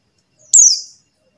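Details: Single buxtoni white-eye call, used as a lure for silent white-eyes: one sharp, high chirp that drops quickly into a short buzzy trail.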